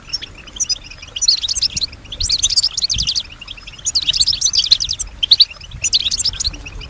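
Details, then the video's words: Female European goldfinch giving a musical, imitative song: several dense bursts of twittering and buzzy rattles lasting about a second each, with short quiet pauses between. "Solutions to keep your goldfinch healthy and singing with strong stimulation"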